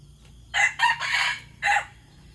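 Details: White decoy junglefowl cock crowing: a hoarse, rough crow broken into several loud bursts over about a second and a half, with a final separate note, against a quiet background.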